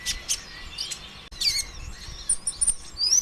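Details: Brown-throated sunbird, the 'konin ijoan', in a lure song meant to stimulate other birds: shrill chirps, then a twisting warble, then thin, very high trilled notes and ticks building toward the end.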